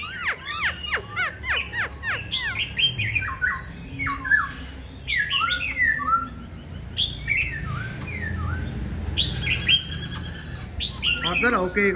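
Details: Tame caged black-throated laughingthrush singing on a very cold day, said to sing all day; loud varied phrases of clear whistled notes, steep downward slurs and quick chattering runs, with low background rumble.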